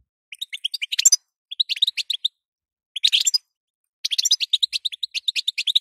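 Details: Female European goldfinch giving calls to make a male goldfinch sing, short twittering bursts at first, then a long unbroken stream of quick, high tinkling chirps.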